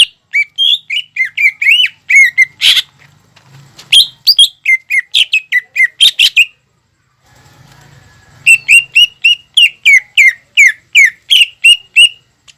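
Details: Greater green leafbird singing energetically, used as a lure to stir young birds into song. Rapid runs of sharp, clipped whistled notes, several per second, break off around a quiet stretch with faint low hum, then resume in another fast burst.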